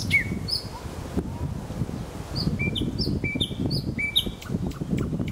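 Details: Nightingale singing in Kuzminsky forest park: clear whistled notes sliding downward, some short high chips, spaced over a few seconds above a steady low rumble of background noise.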